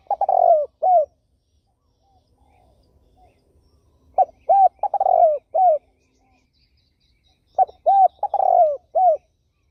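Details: Three rhythmic cooing phrases from a turtle dove, roughly every four seconds. Each phrase is a long mellow coo flanked by short, rounded, arching notes, with quiet gaps between them.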